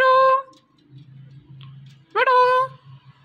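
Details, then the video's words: Indian ringneck parakeet talking, with two loud, voice-like harmonic utterances: one brief at the start, one after a pause of almost two seconds that swoops up then holds steady. A faint low hum runs underneath, indoors. "Indian Ringneck Parrot Talking"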